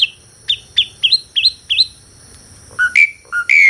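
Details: Asian pied starling, recorded for real, singing melodiously: a series of six short upslurred whistles spaced about every third of a second, then a pause and louder clear whistles rising and held.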